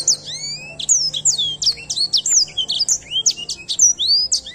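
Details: Edelsänger bird singing steadily, with high clear whistled phrases of rising sweeps and sharp falling notes, delivered in quick succession with brief gaps between short groups.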